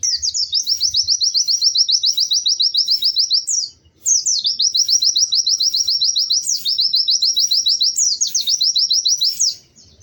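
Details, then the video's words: Lively, melodious white-eye singing: three long, high trills of rapid repeated chips, each about three seconds long and opening with a sharper rising note, separated by brief pauses. "Kicau Burung PLECI GACOR MERDU"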